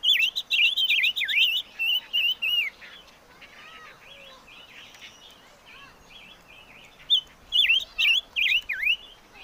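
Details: Song of the chim ngũ sắc, with bursts of loud, wavering whistles dipping and rising in rapid succession, a quieter stretch of soft twittering notes in the middle, then another strong burst of looping whistles.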